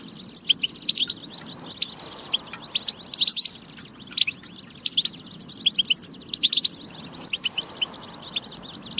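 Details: A European goldfinch sings in a recording meant to get goldfinches singing: continuous liquid twittering, sharp chirps mixed with rolling trills, arriving in lively bursts every second or two.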